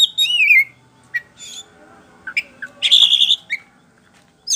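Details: White-rumped shama lure song meant to make birds answer; a dense warbling trill opens, followed by scattered chirps and a loud buzzy burst.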